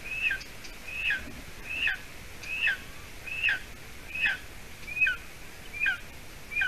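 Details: Nestling golden eagle in Latvia, hatched 9 May 2020, calling at the nest on a June evening near 6:20 p.m. as its mother arrives with stringy roe deer hide. Sharp, high notes with a falling tail, given evenly about once per second over light background hiss.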